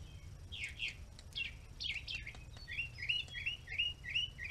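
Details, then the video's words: Red-bellied woodpecker calling: after some scattered chirps, a quick run of short, sharp, down-slurred notes repeated rapidly in an even series, with a faint low rumble underneath. "Melanerpes carolinus"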